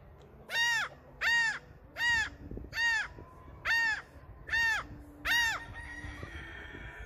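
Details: A gull calling loudly, said to be announcing that he is king: seven harsh, arched, rasping cries with rich harmonics, about one per second, rising and falling, over a background of low rumbling noise.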